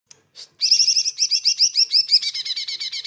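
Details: Greater green leafbird song used as a training recording, a loud, fast run of repeated high chirping notes with buzzy overtones, opening with two short soft notes before a continuous rapid rattling series of sharp phrases.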